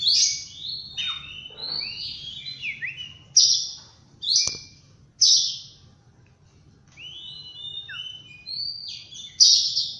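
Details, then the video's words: Oriental magpie-robin singing in the morning: varied whistled phrases and slurred notes, high and clear, with sharp bright bursts every second or two and short quiet gaps between phrases. "Birds Chirping In The Morning| Natural Sound of Birds Singing|Oriental Magpie-Robin"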